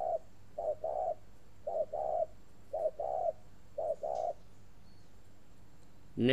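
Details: Spotted dove, kept at a bird garden in Ba Vì, Hanoi, Vietnam, giving an unusually long cooing series: soft, low, hollow coos in paired and grouped phrases, about seven bursts over six seconds, with faint background hiss and a sharp noise at the end.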